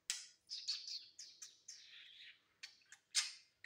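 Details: Pet male budgerigar on a new perch, giving quiet scratchy chirps and warbled notes in short bursts with brief pauses between.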